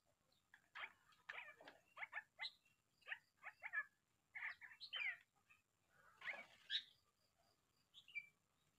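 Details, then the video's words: Sulawesi crow giving a busy run of varied harsh, clicking and croaking notes, short bursts packed close together over about nine seconds, a few with rising whistled tones, against a quiet background. "Gagak Sulawesi suara unik"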